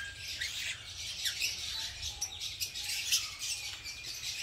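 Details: Green masked lovebirds in a breeding colony, pairing up and building nests in a backyard aviary: dense, continuous high shrill chattering and squeaky twitters from many birds, with a low rumbling background.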